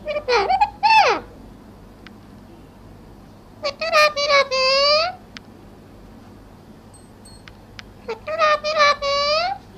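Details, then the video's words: A parrot talks in three bursts of mimicked speech, each a cluster of harmonic, slightly nasal syllables with sliding pitch, separated by several seconds of quiet room hum and faint clicks. "Talking parrot"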